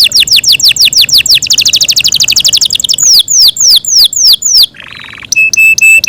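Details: A kept Yorkshire canary pours out a loud song of quick falling whistles and a dense high trill, then slower swooping slurs, a short harsh buzzy note, and a few flat, clipped repeated tones.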